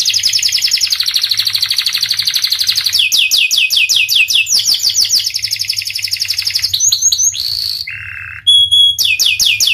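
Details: Panda canary in full voice: a long, steady buzzy roll, then trains of fast slurred whistles, a lower hoarse note, a pure high whistle and renewed quick trilling.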